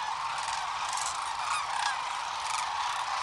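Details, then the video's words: Morning liftoff of a large sandhill crane group at Rowe Sanctuary beside Nebraska's Platte River, taped with a compact camera: unbroken overlapping trumpeting from many birds, with a few louder rolling calls standing out near the start and end. "Sandhill cranes at Rowe Sanctuary"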